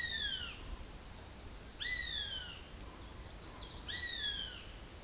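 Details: Near the nest, a fledged juvenile northern goshawk gives loud, slurred, descending whining cries, each about half a second long, repeated roughly every two seconds, over a soft hiss with faint chirps from other birds.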